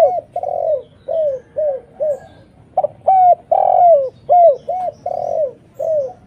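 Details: Lure recording of a gacor spotted dove, meant to attract and answer other doves. Steady chain of soft hooting coos, short notes alternating with longer swelling ones, almost without pause.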